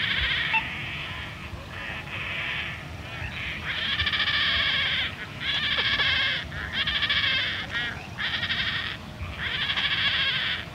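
Young painted storks give harsh, nasal, bleating bursts, each about a second long, repeated every second or two, with more young calling behind and faint distant water birds.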